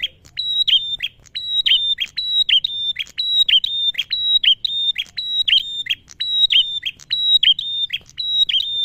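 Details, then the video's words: Lure recording of a male prinia in full song: continuous high whistled phrases, each a flat piercing note ending in a quick dropping chip, repeated rapidly and evenly over nine seconds against a quiet background. "Suara Prenjak Tamu Jantan Gacor - Pancingan Ampuh Bikin Burung Prenjak& CIBLEK Bahan Cepat Bunyi"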